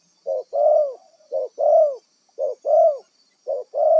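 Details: Spotted dove from the wild, kept as a trapping decoy, cooing in paired notes: a brief coo then a drawn-out, slightly arched coo, repeated about every second with short gaps; constant faint high hiss behind.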